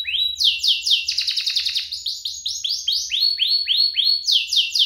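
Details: Two domestic canaries in full, active song, played to prompt other canaries to sing and to tutor young birds; fast high trills, repeated upswept whistles about four per second, and buzzy rolls in a continuous stream.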